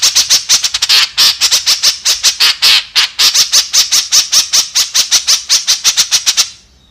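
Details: Kekep, the white-breasted woodswallow, giving a rapid series of grating, nasal squawks in quick succession, high and rough-edged, steady in loudness, ending abruptly in near silence after about six and a half seconds.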